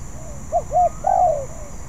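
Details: Learning spotted dove delivers one phrase: two short curved coos, then a longer, wavering coo that tails off downward, over a low constant background hum.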